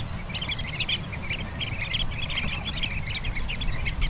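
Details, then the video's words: Sanderlings on the beach at Bañugues, Asturias, giving a dense stream of short, high, sharp chirps that overlap continuously, over a steady low rumble of surf and wind. "Correlimos tridáctilo (Calidris alba)"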